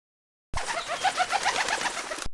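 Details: Pigeon cooing: soft, throaty notes repeated about three times a second for roughly two seconds over a steady, hissy background.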